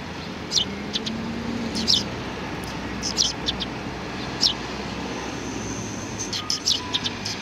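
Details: Sparrows recorded on 30 March 2019; short, sharp high chirps spaced a second or so apart, some in quick pairs, over steady background hum of traffic.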